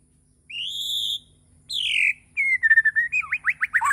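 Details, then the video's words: Morning song of a white-rumped shama from Borneo: two long, pure high whistles, then a steady falling whistle breaking into quick, repeated sweeping notes. "Kicauwan murai batu di pagi hari.."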